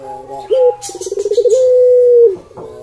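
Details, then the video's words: Puter pelung cooing from a Barbary dove: a short low note, a quick rolling stutter of pulses, then one long even mellow coo held about a second before cutting off. "Suara Puter Pelung Merdu"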